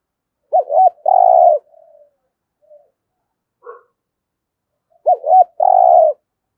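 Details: Spotted dove decoy bird, kept to attract wild doves, repeating its loud coo phrase twice about four seconds apart: a sharp double note, then a long, even, rough-toned coo, with faint soft notes in the gap.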